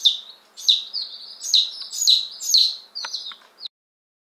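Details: Newly arrived one-day-old Appenzeller Spitzhauben and White Crested Blue Polish chicks, May 2015: a quick run of shrill downslurred peeps and a few sharp clicks, then silence.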